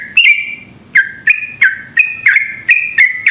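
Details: A sooty-headed bulbul sings a lure song meant to stir rival bulbuls into fast, continuous singing, giving a brisk run of bright, downslurred whistled notes, roughly two per second, with a steady thin high tone behind.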